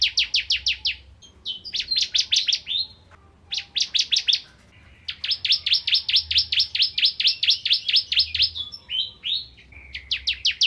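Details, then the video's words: Bar-winged prinia singing energetically as a magpie-robin tutor: several bursts of rapid high chipping notes broken by short pauses, the longest run lasting about five seconds, with a few softer slurred notes between. "Burung Ciblek Kristal Gacor Untuk Masteran Murai Batu"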